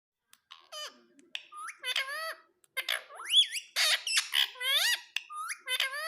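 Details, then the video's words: Green pet parrot calling in a lively run of harmonic squawks and upward-sweeping whistled notes, several overlapping bursts about two per second, loud and clear with no other sounds. "मे तोता हरे रंग का || मिट्ठू की आवाज बहुत प्यारी है"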